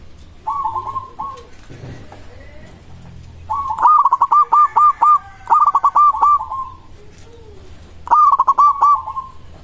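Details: Local zebra dove singing, a voice said to make other zebra doves answer at once; bubbly staccato coos run in quick pulses, then a long pause, then another fast bubbling phrase, over faint low background hum.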